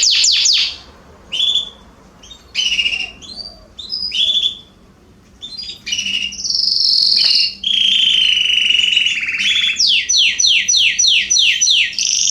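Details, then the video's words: Garden canaries singing in September 2020: short whistled phrases separated by pauses, a sustained buzzy roll, then a closing series of repeated downswept notes. "Canaries singing in my garden"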